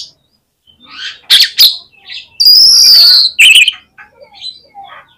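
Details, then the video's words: Oriental magpie-robin giving contest-lure song: scattered high chips and two sharp notes, then a long bright sustained whistle, a ringing flourish and soft trailing notes. "SUARA KACER GACOR INI BIKIN MUDAH ON KONSLET DI LAPANGAN"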